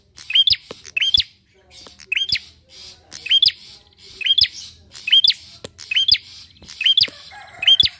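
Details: Bar-winged prinia song meant to lure other birds into singing: energetic run of paired, harsh, high chirps with a rising hook, about eleven bursts in eight seconds, over a quiet low hum.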